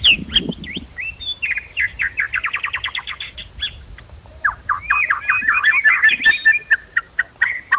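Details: Combative white-rumped shama song, played to provoke a bird into full, loud singing. A quick stuttering series of identical short notes falls away, then a dense tumble of rising and falling whistles follows. A faint constant high tone is present.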